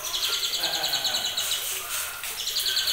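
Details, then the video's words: Two-month-old white-rumped shama from champion-line parents repeating sharp high notes in quick trotolan succession, breaking off briefly after about two seconds, then restarting the run; faint background noise throughout. "TROTOLAN TRAH JAWARA"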